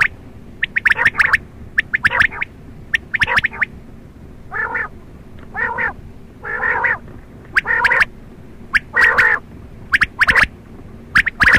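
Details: At night a quail alternates quick bunches of sharp, clicking high notes with a series of buzzy, nasal, purring bursts roughly once a second, fairly loud against a faint hiss.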